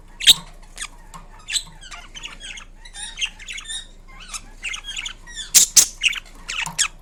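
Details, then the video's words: Pet Indian ringneck parrot indoors making varied sounds: a run of short scratchy squawks and chirps, some sharp and loud, others softer, spaced irregularly with brief pauses between them. "Indian Ringneck Parrot Making Unique Sounds"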